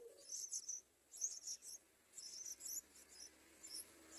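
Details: Yellow-vented bulbul chicks beg with very high, thin, scratchy squeaks in bursts about a second apart, with short pauses, as an adult bird tries to feed them.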